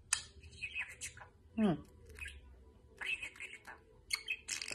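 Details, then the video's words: A pet budgerigar, fond of talking, chatters in quick, scratchy, speech-like bursts with one low swooping note, in a quiet indoor room. "Волнистый попугайчик болтает"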